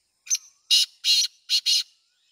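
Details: A black francolin gives a loud, rasping, broadband call of five harsh syllables: a short opening note, two longer grating notes, then a quick final pair. The call lasts about one and a half seconds against a silent background.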